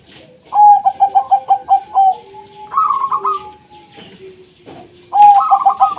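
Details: Zebra dove of local wild stock in constant song, offered to spur quiet doves: a string of quick pulsing coos, a long flat note under a higher trill, then a fresh burst of clipped coos with soft wingbeat-like rustles.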